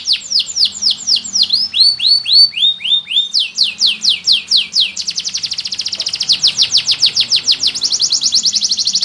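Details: Green canary singing vigorously, changing phrases: runs of rapid downslurred chips, a short series of rising whistles, more swept notes, then a dense buzzy rolling trill to the end, bright and loud.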